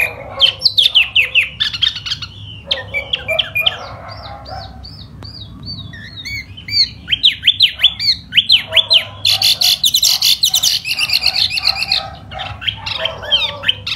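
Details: Spring song of a laughingthrush: long loud sequence of varied rapid notes, sweeping whistles and harsh chattering bursts, delivered almost continuously with brief gaps.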